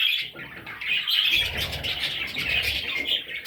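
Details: Baby parrots giving a short, steady run of high, scratchy chirping calls over a low background rumble.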